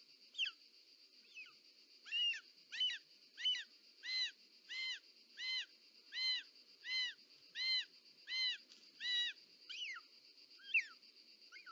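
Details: At a nest in Parc Natural dels Ports, Catalonia, on 18 July 2024, a female short-toed snake eagle bringing a snake gives about fifteen fluty, arched mewing calls in a steady series, with a continuous high hum behind.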